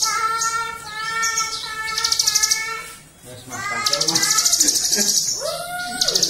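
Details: A Javan sunbird sings fast, high, buzzy trills in bursts, with lower tonal, voice-like notes running underneath.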